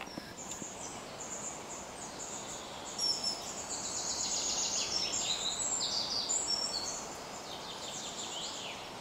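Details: White-throated dipper (Cinclus cinclus) at the Ljubljanica springs, Retovje, Slovenia, on 6 June 2023, giving high, thin, rapid twittering and buzzy notes, partly masked by the steady rush of flowing water.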